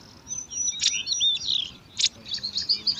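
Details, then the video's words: In a nest among alang-alang grass, five bar-winged prinia chicks competing for food make thin high whistles and squeaky chirps, punctuated by two loud sharp calls about a second apart. "Lima Anakan Burung Ciblek Rebutan Makan"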